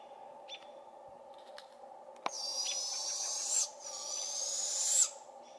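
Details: Young barred owls in a British Columbia forest call to their parents, who are busy dealing with robins. Two long, raspy, hissing screeches each rise in pitch over about a second. Sharp robin chirps come before and between them, and one click is heard.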